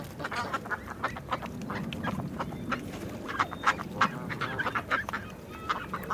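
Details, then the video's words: Flock of ducks giving overlapping nasal quacks in irregular bursts, a few louder calls standing out near the end over a low steady rumble. "Sounds of nature and animals: horse, cow, rabbit, rooster, chicken, wild boars, sheep, goats, ducks"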